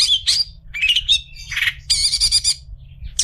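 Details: Long-tailed shrike song meant as a tutor for other shrikes: mixed scratchy squawks and quick whistled slurs, then a dense rattling trill near the middle, ending with a sharp note, over a soft background hum.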